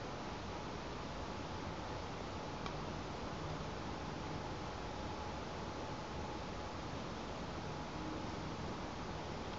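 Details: Steady broadband hiss with a faint constant hum tone and one brief tick, with no animal sound heard.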